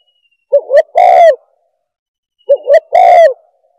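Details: Lure call of a spotted dove for attracting doves: two matching phrases, each with two quick rising notes and then a drawn-out coo, repeated about two seconds apart in silence.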